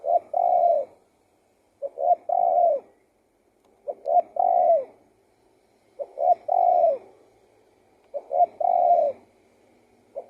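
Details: Spotted dove singing steadily: five repeated phrases about every two seconds, each a quick double or triple coo leading into a longer, smooth, slightly falling note.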